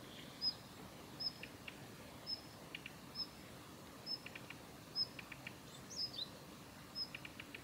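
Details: Female Daurian redstart calling at the Kitafuji training area, Japan, on 7 November 2021: thin, high whistled notes about once a second, each followed by short dry clicking ticks, with faint background hiss.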